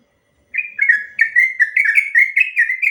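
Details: Long rapid song of a sooty-headed bulbul, used as a lure so other bulbuls respond: after a brief silence, a steady chain of quick, slurred, chattering whistled notes.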